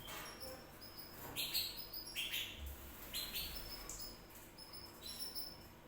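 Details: Canary singing in short bursts of high, thin whistled notes and brief trills, with irregular pauses between phrases and a faint background hum.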